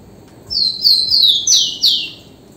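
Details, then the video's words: A Rufous-collared Sparrow (tico-tico) sings a quick run of about five high, clear, downward-sliding whistles over a faint low background hum. "canto do TICO TICO ligeirinho"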